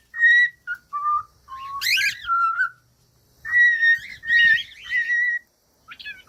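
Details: Pet cockatiel whistles short level notes, dips lower, bursts into a harsh buzzy squawk, then holds long even whistles with warbling chatter.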